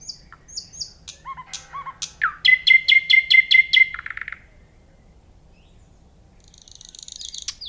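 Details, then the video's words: Nightingale: a few high notes and slurs, then a powerful rhythmic series of about eight rapidly repeated notes, a quiet pause and faint buzzy notes at the end. "صوت العندليب"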